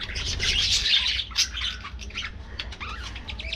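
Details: Budgerigars in a colony aviary: a loud squawky burst at first, then quieter separate chirps and short warbled notes.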